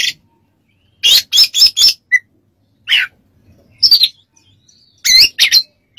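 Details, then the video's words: Oriental magpie-robin training song: a quick series of four harsh buzzy notes, a short chip, a scratchy note, then more rasping notes after a pause. "MASTERAN KACER DAN TERAPI"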